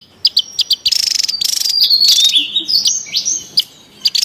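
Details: Javan tesia calling noisily in the wild, a lure and training recording: sharp high chirps, then dense buzzy rattling bursts, followed by thin whistled notes that slide downward, with short pauses between phrases.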